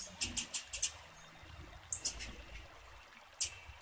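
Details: Female blue-black grassquit calling to encourage a male to sing: a quick run of four high chips, a pause, a pair of chips, then one more, over soft low background noise.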